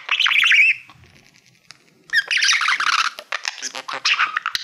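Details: Caged pet budgie, a male, warbling toward a reflective plaque: a squeaky whistled phrase, a quiet second, then a dense run of scratchy chatter and clicks indoors.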